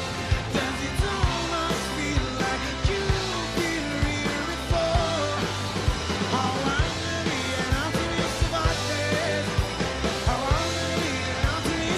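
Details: Loud rock music with singing and driving drums fills the whole stretch, with no animal voice heard.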